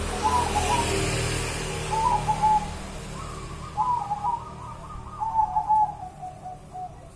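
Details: Zebra dove, a wild local bird from Java, delivering wavering, trilled cooing phrases, some longer and drawn out, spaced one to two seconds apart over low background noise.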